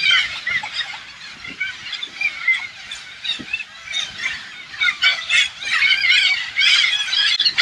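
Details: Hundreds of Alexandrine parakeets invading an organic farm in the rural Thailand countryside: a dense, continuous chorus of harsh, overlapping squawks and chattering screeches, swelling louder toward the end.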